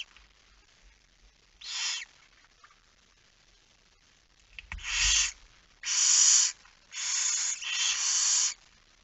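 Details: Harsh, breathy barn owl hisses at a nest during feeding, recorded 10 September 2019 at 22:45 at night. A single burst, then a quicker run of four rasping hisses close together, with a brief low knock among them.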